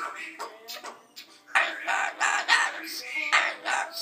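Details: Pet cockatoo singing and dancing: a run of harsh, raspy squawks and wavering vocal notes at about three a second, with music or a voice possibly faint behind it.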